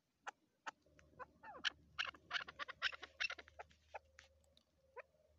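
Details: Female chukar partridge kept as a hunting decoy, giving a dense run of harsh, clipped chattering notes that speed up into a rapid burst, then thin out into scattered single calls, in an otherwise quiet setting.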